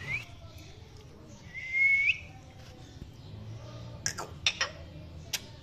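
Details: Male Indian ringneck parakeet giving one rising, whistled chirp of under half a second, followed by a few sharp clicks and taps near the end against a quiet background hum.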